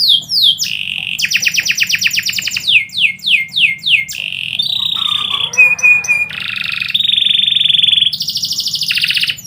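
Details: Canary song at midday: series of falling swept whistles alternating with fast metallic trills, a short scratchy passage with clicks, then long steady rolling trills continuing to the end.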